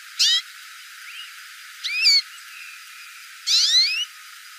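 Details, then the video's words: Hooded siskin calling with three clear bursts of high, upswept whistled notes, each under half a second, plus faint soft chirps in the gaps. "CANTO DO PINTASSILGO CHAMANDO"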